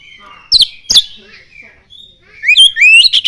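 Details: Oriental magpie-robin song carrying common iora mimicry: two sharp, high, downslurred notes, a pause with a thin held whistle, then a run of rapidly rising, piercing whistled sweeps.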